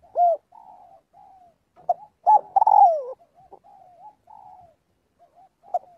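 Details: Spotted dove calling to gather the flock: a short loud coo, faint low cooing, then a strong rolled coo sliding downward, followed by softer coos.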